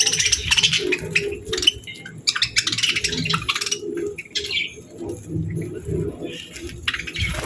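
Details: Happy pet budgerigars chirping cheerfully amid calming nature sounds: scattered bright chirps and short warbled bursts, broken by quieter gaps, over soft low thumps and rumble.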